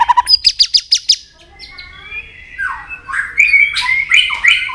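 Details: White-rumped shama singing competitively: five loud rhythmic clicking notes, then a soft whistled pause and a run of scratchy rising phrases.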